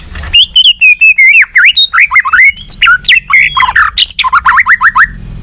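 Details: A White-rumped shama sings a continuous competitive song, flicking its tail and switching among many voices: tightly packed, varied whistles, slurs and chattering notes pour out almost without pause for five seconds.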